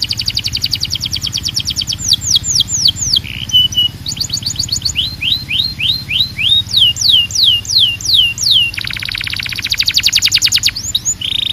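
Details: Belgian canary singing to call other canaries to sing: rapid high trills, a run of repeated downward-sweeping whistled notes, then a long buzzy rattle near the end, over a low steady hum.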